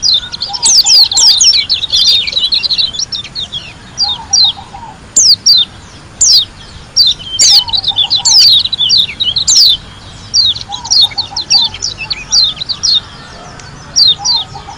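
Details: White-eye from Lombok pouring out a long, continuous 'ngalas' song: fast, high, twittering runs of sharp slurred notes with brief pauses, and faint lower notes repeated in short groups in the background.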